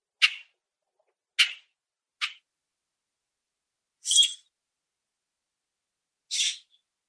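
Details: Common grackle recorded in a backyard or on a nature walk, giving five sharp, high clicky chirps spaced about one to two seconds apart, the later ones slightly longer and harsher.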